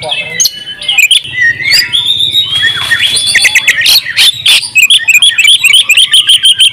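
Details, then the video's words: Oriental magpie-robin champion, singing with an open beak in full-fill ngobra style, used as a master recording. It gives varied whistles and slurred notes, then a long gliding tone, and ends in a rapid string of short chirps. "masteran kacer juara buka paruh full isian ngobra"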